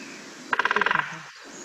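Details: A woodpecker in the old woodlands around Craigflower House near Torryburn gives a quick burst of about nine sharp knocks in half a second, a brief drumming roll; otherwise quiet.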